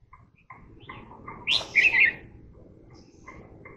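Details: Red-whiskered bulbul giving a brief burst of lively, chirpy whistled notes, a quick warbling phrase over a steady low background hum, with faint short chirps before and after.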